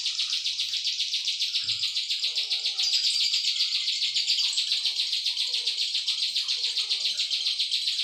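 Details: Cisaw song used as a tutor recording for training songbirds: a long, fast, buzzy high trill of rapidly repeated pulses, sustained almost without pause, with a brief faint low thump early on.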